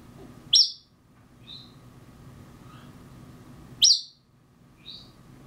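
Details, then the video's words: Mockingbird imitation by an African grey parrot, two sharp high squeaky notes about three seconds apart, each followed by a softer short chirp, over a faint steady hum. "African Grey - Dueling Mockers"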